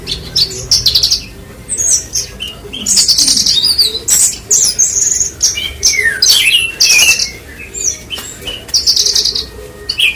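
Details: Branjangan singing in repeated loud bursts of buzzy high trills, chirps and down-slurred whistles, separated by brief quieter pauses.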